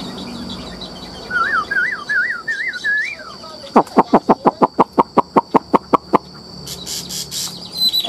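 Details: Caged Chinese hwamei for sale, described as singing with nodding, trilled embellishments. Looping, wavy whistles give way to a fast, even run of about fourteen sharp, clipped notes, followed by a few high squeaks.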